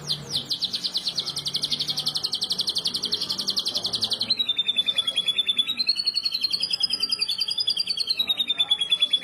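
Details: Canary song used as a master for training other canaries; a long dense rattling trill about four seconds, then a wavering rolling trill that rises and falls steadily.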